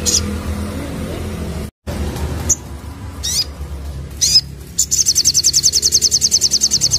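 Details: A 'fighter' Crested jay calling loudly: scattered sharp clicks and short buzzy bursts give way to a sustained rapid high rattle, a shooting 'nembak' series of even pulses lasting about two seconds, over low hum.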